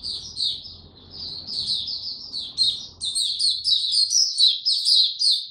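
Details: Warm, very humid weather, 26 March 2022; a white-eye sings a quick, high chattering warble that becomes louder and busier after the first few seconds, with a low steady hum beneath the opening.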